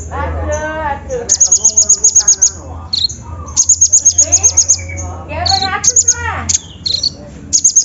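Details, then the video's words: Olive-backed sunbird song played as a lure for birds slow to sing. Repeated bursts of shrill, rapid ticking trills are interleaved with lower warbled and buzzy phrases, with soft sweeping chirps throughout. "PANCINGAN KONIN SUSAH BUNYI!! SEKALI DENGAR LANGSUNG DUUUAAAAARRR"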